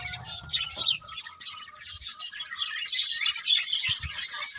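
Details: Pair of budgerigars gives uneven bursts of sharp, high chirps, with a faint steady tone and low thuds early on.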